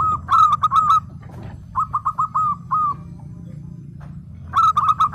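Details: Zebra dove, a local bird singing actively: a rapid burst of ringing coos, then slower spaced notes that fade. A final fast burst closes the sequence.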